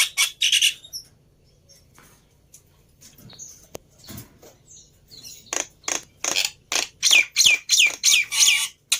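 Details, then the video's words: Lure song of a black-winged myna for getting a reluctant bird to sing. Two rasping bursts open the clip, then near silence with faint ticks, then a steady run of harsh buzzy notes with trilled whistles at the end. "Tes Dengan Suara Pancingan Burung Jalak Putih Ini Di Jamin Nyaut"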